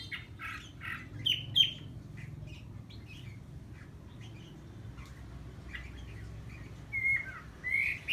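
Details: A decoy red-whiskered bulbul singing to provoke rivals gives sharp, bright chirped notes in short bursts, with a quiet stretch in the middle, over a low rumbling background.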